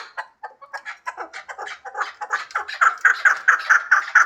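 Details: Hybrid chukar partridge beginning with scattered soft clucks that quicken and grow louder into a regular series of ringing chuk notes.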